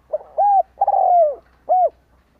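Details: Decoy spotted dove cooing to lure wild doves: one phrase of a short soft note, a long rolling note sliding down, then a clear arched coo, mellow and low.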